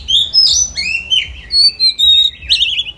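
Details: Oriental magpie-robin singing during voice training: bright, varied whistled phrases, some sliding up or down and some trilled, delivered in quick bursts with brief pauses.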